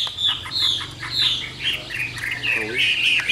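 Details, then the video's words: Yellow-beaked caged Chinese hwamei singing a steady stream of fluid, undulating high warbles with brief dips, over a faint low hum in the background. "CHẤT GIỌNG CỰC PHÊ"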